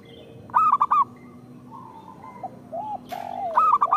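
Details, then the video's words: Singing local zebra dove, played as a lure for other zebra doves: a loud burst of four bubbling coo notes, a pause with softer distant coos from other doves, then another rolling phrase. "Perkutut lokal gacor Suara Pancingan Paling Disukai Burung Perkutut"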